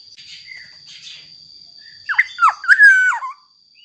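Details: Black-naped oriole song used to coax other orioles into singing: soft chattering notes, then a loud mellow whistled phrase of dipping and rising fluty notes, a steady high tone behind.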